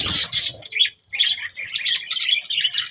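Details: Budgerigar making short, choppy chirps and twittering phrases separated by a clear silent break, then several whistled notes among rasping chatter.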